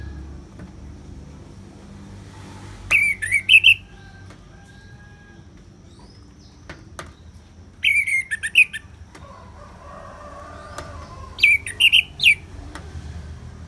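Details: Orange-headed thrush in ngeplong style: three short, twisting whistled phrases spaced about four seconds apart, each with a quick upward flourish. A faint low hum and scattered clicks sit underneath.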